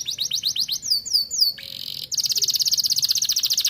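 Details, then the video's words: Young canary starting to sing in an aviary: a series of quick downslurred whistles, a brief pause, then a fast, even high-pitched trill. "Kenari muda mulai gacor"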